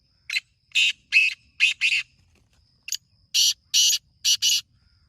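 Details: Morning call of a black francolin from village surroundings: two grating phrases in quick succession, each of five harsh, buzzy notes with the closing pair tightly linked.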